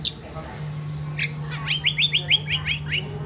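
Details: Crested myna living as a pet in a Philippine household, a mimic bird, giving a quick string of about eight rising, slurred chirps after a few scratchy notes, against a steady low hum.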